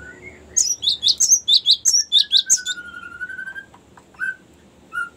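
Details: Cinereous tit delivering long rolling song for luring and training birds: a rapid train of about fourteen high, piercing double chirps, accompanied by a lower level whistle, ending with a few isolated mid-pitched notes.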